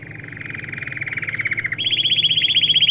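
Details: Domestic canary singing for young birds in training. A buzzy rolling trill grows louder, then jumps abruptly to a higher, brighter rapid trill.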